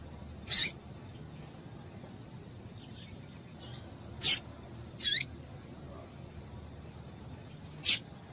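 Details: A female seedeater (coleiro) gives four sharp, high chips at uneven intervals, with a couple of softer faint notes between, over a quiet background; these female calls are used to stimulate a male to sing.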